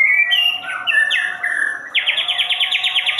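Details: White-rumped shama giving a whistled phrase of stepping notes that turns into a rapid string of about a dozen sharply rising sweeps.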